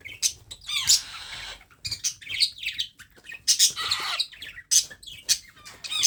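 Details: A baby parrot being fed by hand, giving loud, shrill, wavering chirps and harsh squawks in clustered bursts with short gaps between.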